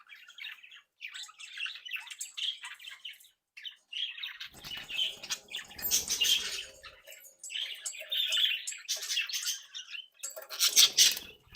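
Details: A lively flock of captive budgerigars from a home breeding group warbles and chatters almost without pause, dense scratchy twittering with rustling and wing noise mixed in.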